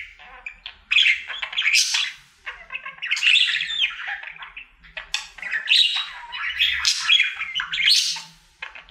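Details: Male pet budgie performing his daily singing routine: rapid bursts of chattering, scratchy warbling and squeaky notes, each burst lasting about two seconds with brief quiet gaps between, no other sounds.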